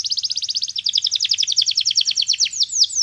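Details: Canary singing a training song meant to make other canaries sing: fast trilled series of sharp chipping notes about ten per second, later slowing into sweeping down-slurred whistles, with faint low background hum.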